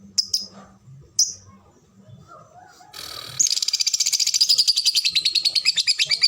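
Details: Competition lovebird in the ngekek and ngetik styles: a few sharp high chirps, then a fast, even, high-pitched rattling trill of about four notes per second that runs to the end, with faint low voices behind.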